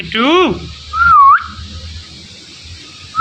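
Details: Indian ringneck talking parrot indoors, known for saying "Mithu": a brief voice-like harmonic syllable that swoops up and down, followed by a short whistled note that dips then rises, with quiet room hum between.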